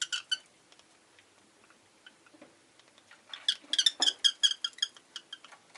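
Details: Rosy-faced lovebird chirping. A few sharp chirps open the recording, followed by quiet scattered notes, then a dense burst of high, harsh chirps repeated rapidly before it thins out again.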